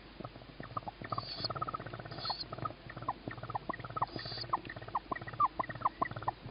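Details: Tawny owl owlet in the nest at feeding time, evening of 21 May 2017: a rapid run of short hooked chirps, with three brief high hissing bursts and soft scratching and tapping around the box.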